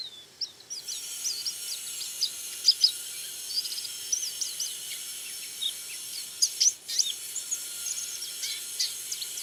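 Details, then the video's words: White-eye (yellow-white pleci) calling actively: a lively, high-pitched twitter of quick, thin chirps and short warbled phrases in scattered bursts over a steady background hiss. "Burung Pleci Kacamata Kuning Putih Suara Aktif"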